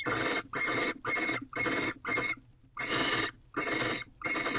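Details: Barn owls in a nest box on 19 March 2023 at 6:11 am, the male offering a new rodent to the female. Dense, scratchy hissing bursts repeat almost continuously with one brief pause.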